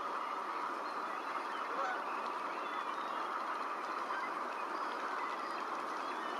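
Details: A large flock of surf scoters on the water early morning at Neck Point Park, Nanaimo, BC, gives a steady, dense chorus of overlapping low honks and murmurs from many birds at once.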